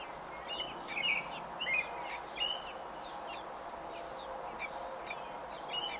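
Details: A nesting robin, day 28 of nesting, recorded 5 June 2018, gives short warbled, slurred phrases at mid-high pitch, several per second in bursts, over a constant background hum.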